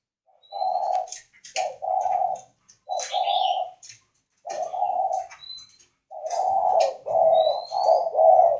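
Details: Spotted dove of northern Vietnam, a breeding-facility bird, cooing in the "khách" style: short bursts of deep, soft coos, then a longer closely spaced series, with thin high whistles from other birds and clicks in the background.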